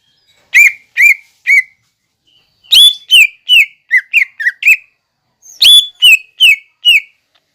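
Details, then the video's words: Green leafbird masteran song, described as packed with fighting sparrow, lovebird and kolibri imitations: three groups of crisp downslurred chirps, the middle group fastest with about seven notes, in a quiet setting. "MASTERAN CUCAK IJO GACOR BONGKAR ISIAN GEREJA TARUNG,LOVEBIRD,KOLIBRI"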